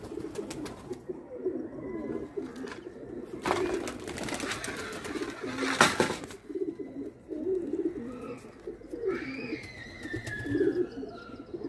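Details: Indian pigeons playing, giving low, throaty coos in repeated rolling phrases, with a few bursts of handling or rustling noise and some higher chirps from other birds near the end.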